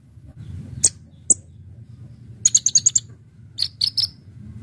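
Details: A Brown-throated sunbird (Kolibri Ninja) singing as a bird lure. Two single high chips are followed by a fast run of five sharp notes, then three lower clear chirps.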